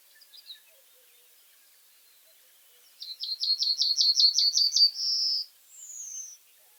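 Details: Reed bunting singing: a faint note first, then after a pause a quick run of about ten sharp, high chips, a sustained buzzy note, and a thin descending whistle at the end. The surroundings are calm and nearly silent.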